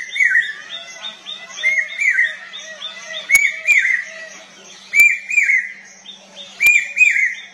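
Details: Whistled, rising three-note phrases of a common hawk-cuckoo repeat several times amid a dense chorus of higher chirping birds, with occasional sharp clicks.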